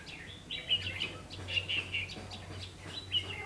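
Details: At a double-spring trap in late afternoon on 3 September 2016, a red-whiskered bulbul gives two bursts of fluty, quickly modulated whistles, the second answered after a short pause, over a faint low hum.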